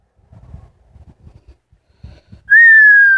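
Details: Pet female Amazon parrot, after quiet soft rustling, suddenly gives a loud, pure whistle that starts high and glides gently downward.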